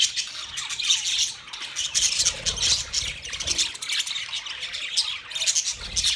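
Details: Budgerigars in pairs, twenty pairs, calling as a flock: harsh squawks mixed with rapid high chirps and chattering warbles, busy and continuous, with some low rumbling underneath.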